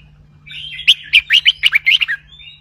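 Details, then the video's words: Red-whiskered bulbul in a cage singing one lively phrase: a soft rising lead-in, then about eight quick, loud, bouncing warbled notes in a row, ending with a thin whistled trail; low hum throughout. "นกกรงหัวจุก (เจ้าตอก) เบิ้ลร้อยเพราะ ๆ เปิดยั้วนกฟังนกคึก"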